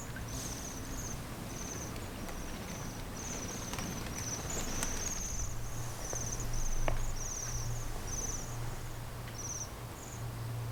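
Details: Bohemian waxwing flock calling in snow along the Senjogahara boardwalk, Oku-Nikko, Japan: thin, very high trilled "chiri chiri" notes, repeated several times a second, over a steady low hum and some rustling.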